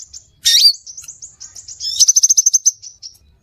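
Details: Scarlet minivet calls used as a bird lure: a loud harsh burst, then thin high whistles and a quick run of about ten bright repeated notes ending in a fading whistle.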